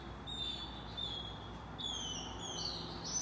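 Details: Hungry Say's phoebe nestlings, nearly ready to fledge, beg as their mother feeds them, with thin, high, drawn-out squeals in two bursts of about a second each, over a soft steady background hiss.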